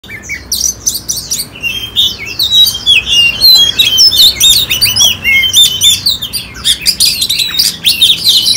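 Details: Caged oriental magpie-robin that has gone through one moulting season, kept in Ho Chi Minh City, Vietnam, recorded 18 April 2021, pours out a loud, continuous song of varied high whistles, slurred notes and rapid chattering phrases.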